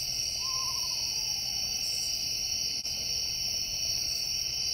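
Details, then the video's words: An Eastern Screech Owl on a tree branch at night gives a soft, descending, horse-like whinny lasting about a second and a half, over a steady, loud chorus of night insects. "Eastern Screech Owl whinny calls at night"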